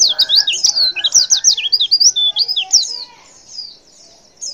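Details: Female white-eye calling to provoke males of any type into answering, a rapid twittering run of high, sliding chirps and short whistled notes lasting nearly three seconds, followed by a faint trailing note and near silence.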